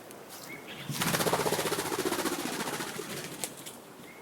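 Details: Spruce Grouse in a Québec national park makes a fast, throbbing feather rustle lasting about two and a half seconds, not a vocal call, thought to be a signal for birds to regroup, with a faint thin whistle before and after.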